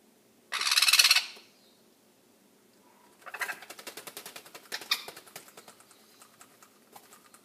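A young sun conure gives one loud, harsh screech, then a fast run of rasping, chattering notes that fade toward the end.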